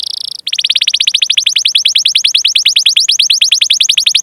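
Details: Canary rolling song for coaxing other canaries to sing: a brief buzzy note, a tiny gap, then a long, fast, even trill of high, slightly falling pulses.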